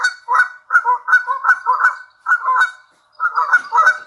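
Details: Canada goose demanding food at Lake Tahoe, Sand Harbor, Nevada, giving loud nasal honks in quick bursts, a run of about ten calls, a one-second pause, then several more honks.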